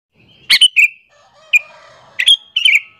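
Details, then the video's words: Sooty-headed bulbul call used to lure other bulbuls and provoke them: sharp chirps followed by short bright notes sliding down and trailing off, in two bursts with faint low hum between. "suara panggilan burung kutilang alasan untuk pikat"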